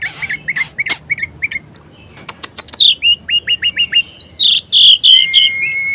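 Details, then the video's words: Varied song of a caged orange-headed thrush, used to spur lazy birds to sing: repeated clear downslurred whistles near mid pitch, then upward-swept notes and rich warbled phrases ending in a long level whistle. "Anis Merah Gacor Variasi Bangkitkan Emosi Anis Malas Bunyi Agar Rajin Berkicau"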